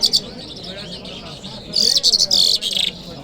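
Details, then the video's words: A lark sings high, scratchy twitters on a Friday morning in Kabul city: a quick double note, a pause, then a dense rapid run of chirps lasting about a second. "Lark Singing"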